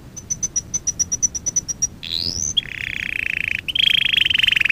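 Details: Canary song from a lesson for young canaries: evenly spaced thin high tick notes about five per second, a rising buzzy slide, then a long fast rolling trill that grows louder.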